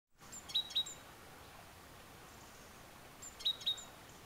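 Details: A great tit in the Tiétar Valley, Sierra de Gredos, Spain, sings two brief bright two-note phrases, high clear whistles about three seconds apart, over a soft steady background hiss.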